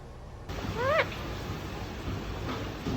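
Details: A pet Indian ringneck parakeet in a good mood gives a single short, rising, nasal note, almost meow-like, over a steady room hiss, in Singapore.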